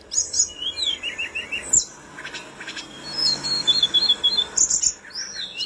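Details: Mountain flowerpecker (tledekan gunung) tutor recording: short high trills and thin whistled twitters, a quiet gap, then a run of rapid high chips.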